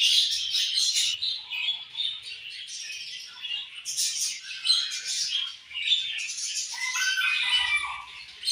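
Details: A flock of budgerigars chirping, a steady stream of high buzzy warbles and sharp squeaks, with a brief low rustle near the end.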